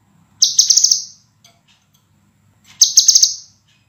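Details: Master recording of a scarlet minivet for training cage birds, its song called clear, dense and sharp; two high, shimmering bursts of quick stuttered notes, roughly two seconds apart, with faint low hum between.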